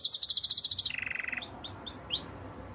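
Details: Song of a Spanish timbrado canary for training: a quick high pulsing trill dropping into a lower beaded roll, followed by four evenly spaced rising whistled sweeps over faint background hiss.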